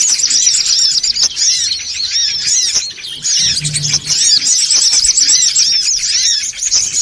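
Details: Songon otong birds calling noisily as a bird lure. Busy high-pitched twittering with looping, arched notes fills the whole stretch, easing slightly around the midpoint, with a brief low hum underneath.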